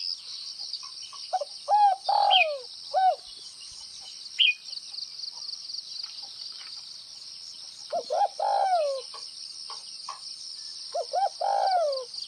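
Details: Spotted dove, Tây Bắc type, repeating its gáy gù (bo) song: several phrases of quick hollow notes each ending in a sliding downward coo, spaced by pauses, against a continuous high-pitched hiss.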